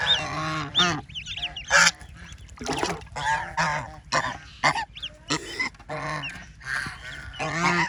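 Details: Ducklings in water give irregular bursts of rough, honking calls with some high, curling peeps between them, over a steady low humming background.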